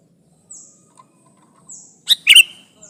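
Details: Sooty-headed bulbul used as a trapping lure to challenge a rival: two faint high descending whistles, then a loud rasping two-part chirp burst.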